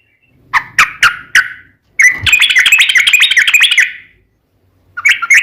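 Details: Sooty-headed bulbul in energetic gacor song: a few separate whistled notes, then a dense two-second burst of quick bubbling phrases, a pause, and another short run of notes.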